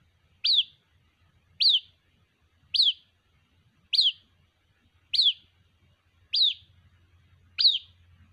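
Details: White-breasted waterhen chick calling its mother: a high, thin, downslurred peep repeated seven times at roughly 1.2-second intervals, with a faint low hum underneath.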